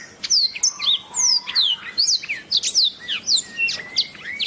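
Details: Canary song recorded as a tutor track for training songbirds: dense, fast run of bright whistled sweeps, many sharply falling, packed into quick bursts with brief gaps, plus a few lower steady notes.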